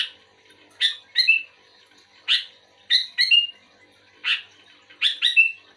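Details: Sooty-headed bulbul replying to a less vocal bulbul with short phrases roughly every two seconds, each a sharp note followed by two quick notes and a brief level whistle.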